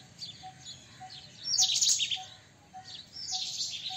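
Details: White-throated kingfisher: a loud, harsh, shrill burst lasting about half a second, then a weaker scratchy phrase. Faint pips repeat steadily beneath.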